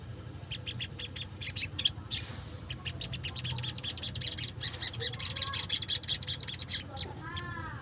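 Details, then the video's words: Wild sunbird giving a luring call: scattered sharp high chirps building into a sustained, rapid trilling twitter, ending with a lower, wavering burst of sound over steady low background noise. "PANGGILAN SOGON LIAR"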